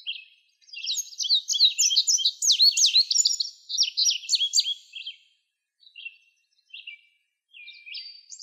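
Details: An Indigo Bunting sings a bright, high, hurried run of sweet notes, many given in pairs, for about four seconds, then adds a few scattered short phrases.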